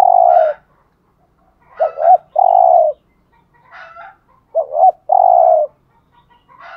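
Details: Caged spotted dove calling to lure wild doves: a paired clipped note and long throaty coo, repeated twice, separated by quiet gaps and faint higher chirps.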